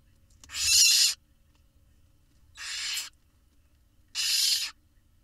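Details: Hissing, rasping screeches from Barn owl nestlings in an Israeli nest box as the adults bring food, three noisy bursts spaced over about five seconds, the middle one softer.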